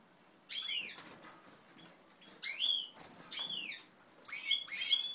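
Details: Native ancestral-line European goldfinches recorded on 20 March 2012 during pair formation; bright twittering chirps in quick bursts, sliding and branching notes repeated several times a second, with soft wing sounds between.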